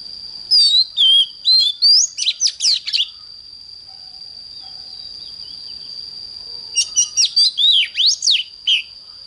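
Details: Morning song of an oriental magpie-robin in the 'căng lửa' style: two bursts of rapid whistled and chattering notes, rising and falling sweeps, separated by a few seconds of pause, over a constant high-pitched background tone.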